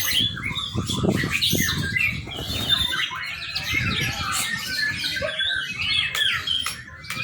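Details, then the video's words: Song of a young white-rumped shama, meant as a training lure: jumbled mid-pitched whistles and chattering notes, somewhat softer, overlaid at first by low thumping and handling sounds. "murai batu muda. cakep buat pancingan"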